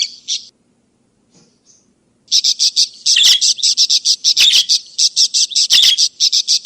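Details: Budgerigar sounds for calling back lost birds or training others: a short chirp, a near-silent gap with faint notes, then a lively run of rapid chirps with a few harsh, scratchy bursts.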